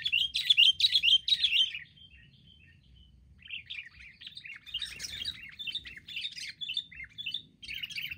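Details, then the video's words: Wild sooty-headed bulbuls mobbing as a group: loud, rich warbled notes repeated three times in the opening seconds, a brief pause, then a rapid stream of short overlapping chirps from several birds. "burung KUTILANG liar beraninya keroyokan"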